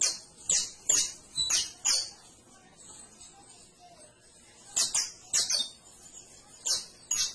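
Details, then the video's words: Canary singing high, bright chirps in clusters of three or four, with a quieter gap in the middle and another flurry afterwards; light background hiss. "CANARIO CANTO - 21 MINUTOS DEL AVE CANTANDO"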